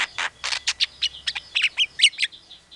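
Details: Javan myna mimicking sounds including a call to chicks, a pied myna and a hungry civet: a rapid run of about a dozen harsh, high chirps and whistled notes with sharp pitch jumps, some squeaky and some rasping.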